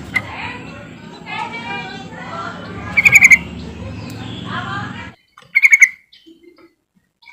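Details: Sooty-headed bulbul call used to coax silent birds into singing: quick bursts of sharp, bright notes amid warbling chatter from other birds, which drops away, leaving a final burst in near silence.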